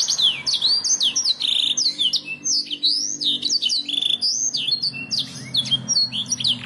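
A canary sings a fast, unbroken stream of high, sweet whistles, sharp upslurs and short rolling trills, varied note to note, over a faint low indoor hum.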